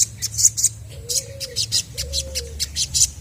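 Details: Full-voiced chestnut-backed scimitar babbler song meant to prompt other birds to reply: two slow, mellow, even hoots a second apart, with sharp high ticks and chips from other birds crowding above.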